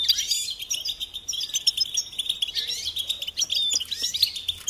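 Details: Goldfinch song from a training recording for chicks and songbirds: quick, bright twittering with fast liquid chirps packed closely together and a few sharper high notes.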